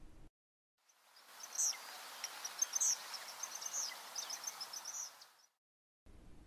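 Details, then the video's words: Early August morning at a restored stream pasture along Sevenmile Creek below the Big Belt Mountains: an Eastern Kingbird in a Russian olive scolds a Cooper's hawk perched below, with sharp, high, sputtering electric-spark notes in three or four bursts over outdoor hiss. "To our east, we hear the sharp electrical sparks call of an eastern kingbird from a Russian olive."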